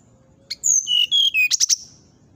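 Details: Brown-chested jungle flycatcher whistling in the nyuling manner that upsets a neighbouring bird. A clear phrase of four sustained, pure whistles steps downward in pitch, then ends in three quick sharp high notes.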